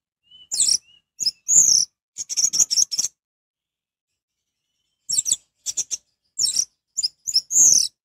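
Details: Orange-headed thrush in vigorous song, used as a lure to stir other orange-headed thrushes into singing; two bursts of high, sharp chirps and shrill phrases separated by a few seconds of silence, with one thin whistled note near the start.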